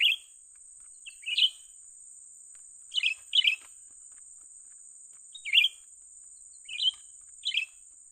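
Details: Grey-bellied Bulbul, young bird, during trapping: loud clipped chirps, often doubled, irregularly spaced one to two seconds apart, with an unbroken high hiss throughout.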